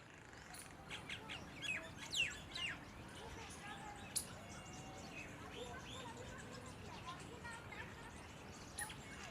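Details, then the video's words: Myna giving a jumble of harsh chirps, squeaks and sharp whistles at irregular intervals, over steady background hiss with faint voices. "mynah call"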